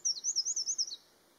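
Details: High Eurasian wren song fragment, a fast rippling trill of wavering, tinkling notes lasting about one second, then a sudden stop into a quiet background.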